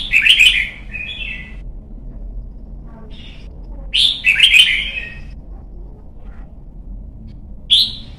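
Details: Red-whiskered bulbul, a young bird in training for song competitions, sings loud warbled, chattering whistled phrases twice, about four seconds apart, with softer single notes between and a closing clear whistle.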